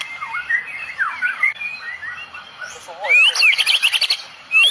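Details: White-rumped shama from Medan, tembakan song with cililin phrases; quieter varied whistled slurs at first, then a sudden loud burst of rapid high sweeping notes and trills.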